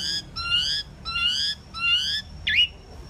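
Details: Pied myna uttering three long, harsh, buzzy notes with stacked overtones at a steady pace, ending in one short, sharp twisting call.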